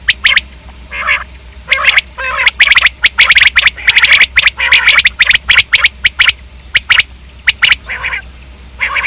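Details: Common quail calling at length: bursts of rapid, sharp clipped notes, thickening into a dense run midway, interspersed with short buzzy nasal sounds, over a low steady hum.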